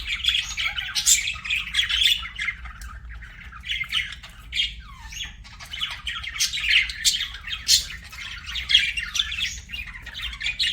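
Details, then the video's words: Pet budgerigars give a steady stream of soft warbling chatter, clicky chirps and brief squeaky notes, rising and falling in loudness throughout. "BUDGIE CHIRPING SOUNDS"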